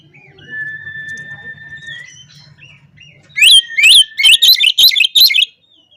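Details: Oriental magpie-robin song meant to provoke rivals: a long level whistle with soft low hum, then a loud run of about eight sharp, ringing, up-slurred notes repeated quickly.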